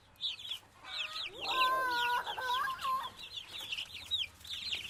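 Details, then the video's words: Domestic chicken chicks peeping in rapid, high, downslurred notes, joined midway by a lower, drawn-out harmonic call for about two seconds before the high peeps resume. "Цыплёнок + звуки и голоса / Chick sounds and voices / Балапан дауыстар"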